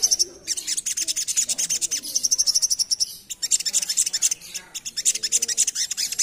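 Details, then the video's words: Little spiderhunter in lively full ngerap song for luring: dense, unbroken streams of fast, high-pitched buzzy chips repeating rapidly, with only brief gaps between runs. "Burung Sogok Ontong Gacor Full Ngerap Cocok Untuk Pancingan"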